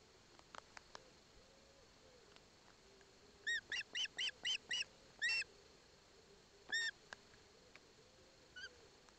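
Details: At an osprey nest in Poland's Barlinecka Forest, a chick takes a fish from its father with its mother beside it; a burst of about seven rapid harsh chirps, a pause, then scattered single notes.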